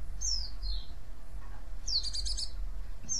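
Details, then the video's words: White-eye call meant to lure other white-eyes into replying: high falling chirps, then a brief rapid trill-like burst of stacked notes, over constant low rumbling background noise. "cuitan dan crecetan pleci ini ampuh memancing pleci lain nyaut"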